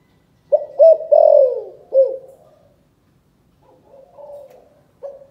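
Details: Calling coo of a spotted dove, Cần Thơ, Vietnam, chụp chụp ô style: two clipped notes leading into a long, swelling, downward-sliding coo, then softer trailing coos in a quiet setting.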